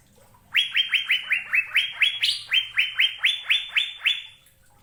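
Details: Asian fairy-bluebird giving a fast run of about fourteen bright, upslurred whistled notes, roughly four per second, steady in pitch with slight rises and dips, over a quiet background.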